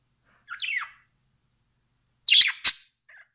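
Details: Pet budgerigar calling indoors: a descending scratchy chirp, then after a pause two loud, harsh squawks in quick succession and a faint trailing note at the end.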